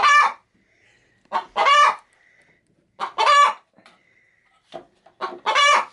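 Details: Pet hen settling into a bag of chicken feed to lay an egg, reacting to someone coming near: brief clucks leading into long, grating cackles, four main bursts separated by quiet gaps, faint soft murmurs between.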